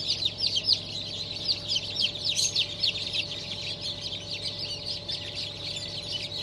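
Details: Fresh hatch of chickens on 7 July 2023, breeds Blue, Light Brahma, Wyandotte, Sebright and Legbar: dense chorus of high, sharply falling cheeps, several per second, with a faint steady hum beneath.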